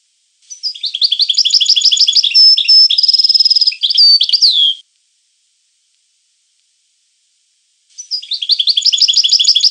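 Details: European goldfinch song: rapid twittering phrases with buzzy trills and a sharp rising whistle, a pause of about three seconds, then a further burst of twittering.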